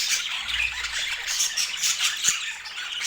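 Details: Short burst of budgerigar flock noise: many colorful pet budgies chirping and squawking at once, a thick high warble with a few clear whistled peeps and one sharp click.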